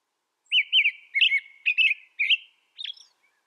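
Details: American robin song: about six rich, rolling whistled phrases in quick succession, the final one softer and thinner, recorded in quiet surroundings.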